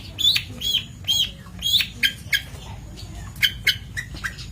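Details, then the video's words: Varied long-tailed shrike song from a master recording for bird training, mixing arched whistled notes and scratchy squawks with harsher chatter, over a fairly noisy background. "Masteran Cendet / Kicau Cendet"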